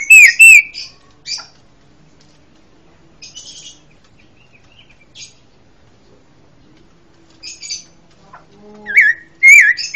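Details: Orange-headed thrush opening with two loud, wavering whistles and a chip, a long quiet stretch with faint buzzy notes, then three more rising-falling whistled notes at the end.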